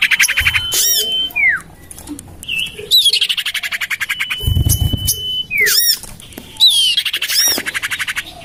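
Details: Common iora lure call used to attract birds, tested in a garden next to a house: a long flat whistle twice slurring downward, between harsh squawks and rapid buzzy chatters.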